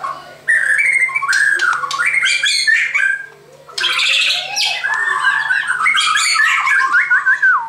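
A white-crowned shama sings loud, varied phrases of rich whistles mixed with harsh, buzzy rasps, pausing briefly midway and ending in a looping whistle; a faint low hum underneath.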